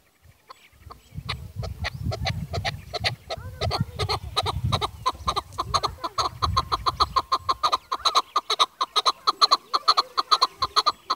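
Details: Chukar partridge, called Pakistan's national bird, calling in a rapid run of harsh clucking 'chuk' notes that grow steadier and louder toward the end, after low rumbling background noise and faint voices at the start.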